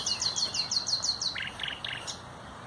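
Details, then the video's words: Common nightingale recorded on 30 April 2021: a run of seven quick, sharply descending high whistled notes, then three lower, dense rattling bursts and a final high note. "NACHTEGAAL (COMMON NIGHTINGALE)"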